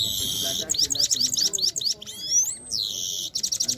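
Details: A Kabul Afghani goldfinch sings a fast, tinkling run of high twittering notes, buzzy trills and a long rising whistle, bright and continuous throughout.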